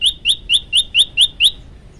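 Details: Olive-backed tailorbird (prenjak lumut) singing vigorously in a training recording: seven sharp, bright upslurred chirps in a steady run, about four per second, then quiet.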